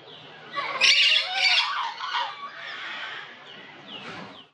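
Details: Olive-headed lorikeets, nectar and pollen feeders, giving harsh, screechy squawks in a loud cluster, then softer rasping notes fading toward the end.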